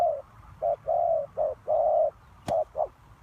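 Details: Spotted dove used as a trapping lure, uttering low hollow coos of mixed length, short and drawn-out, with a single sharp click partway through.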